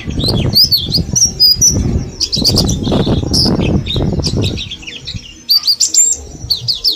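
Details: Mountain white-eye from Mount Slamet, kept after bulk capture and learning wild-style song for ten days, twitters high sliding chirps while loud fluttering and rustling dominate the first half before the chirps return clearly.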